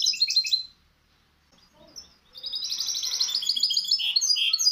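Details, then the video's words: Misto hybrid canary singing on a training recording for young birds: a short burst of high rapid trills, a near-silent pause, then a long, even, rattling trill phrase ending in clear whistled notes. "شريط طائر الميستو الهجين للتحفيظ الفراخ"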